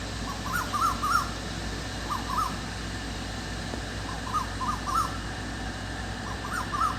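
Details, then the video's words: A cuckoo calls in the dark of evening, giving small clusters of two or three short wavering whistles, with a cluster roughly every one and a half seconds, fairly faint above a constant background hum. "The cuckoo is making a sound in the dark in the evening"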